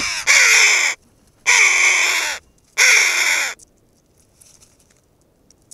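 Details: A group of red-billed choughs raising an uproar on the western Asturian coast in Spain, inspecting a camera. Three loud, grating calls of nearly a second each with short gaps, then sudden quiet with only faint ticks.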